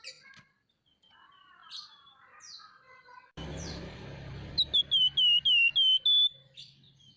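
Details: Scaly-breasted munia in full voice, nyerecet chattering style: a quick run of seven clear, falling whistled notes after faint scattered chirps and a stretch of hiss.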